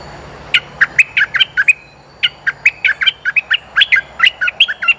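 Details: Bulbul used as a decoy, calling to attract females: rapid series of short, sharp chirping notes, some with buzzy overtones, delivered in uneven bursts over steady low background hum.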